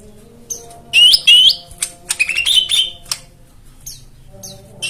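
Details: White-eye singing for a therapy recording meant to prompt birds that have stopped singing: a cluster of sharp rising whistles, then quicker chirps and twitters that fade into scattered high ticks over a soft background hum.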